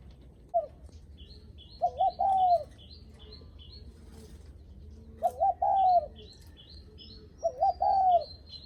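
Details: Spotted dove's 'gù khách' visitor-greeting coo: three phrases, each a quick double hoot then a longer mellow coo. Another small bird chirps high and thin in the background.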